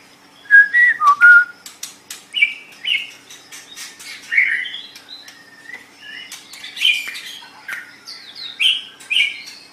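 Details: Master recording of a white-rumped shama singing, meant for tutoring other cage birds: separate whistled phrases and chirps, some with upslurred notes, interspersed with dry clicking ticks.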